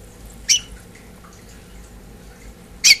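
A house finch gives two short, sharp, squeaky chirps about two seconds apart, high-pitched and bright, over a quiet indoor hum.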